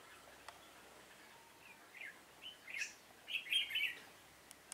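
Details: Decoy Red-whiskered bulbul used in trapping, 7 September 2018, building from soft scattered chirps into a loud rapid warbled phrase late on, over a quiet background with faint ticks.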